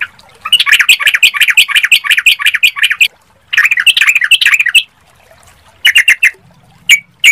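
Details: Sooty-headed bulbul song used as a lure to make other birds answer: bursts of bubbly, rapidly repeated chirping notes lasting two to three seconds, separated by short pauses, ending with a few brief note groups.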